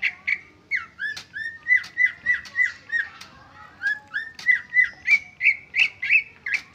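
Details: Greater green leafbird performing original song without learned fill-ins: rhythmic, rich whistles around three per second, many with a downward hook, shifting to higher rising-falling notes toward the end, quiet background.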